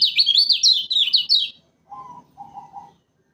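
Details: Lemon-bellied white-eye from Lombok, Indonesia, recorded as a trapping lure: a rapid run of high, rising and falling chirped notes for about one and a half seconds, then a pause and two short lower, steady whistled tones.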